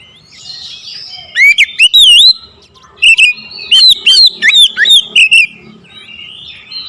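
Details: Oriental magpie-robin singing aggressively after being provoked by a rival: loud swooping whistles and sharp upslurred notes in two bursts, the second a rapid chain of about eight rich, varied phrases, with soft chatter in between.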